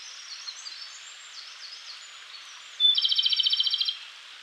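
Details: Japanese robin, wild, in the mountains of Koshin in May, its lively song echoing through the forest at dawn. Thin high whistles of other birds come first, then a bright lead note and a rapid rattling trill of about fifteen pulses.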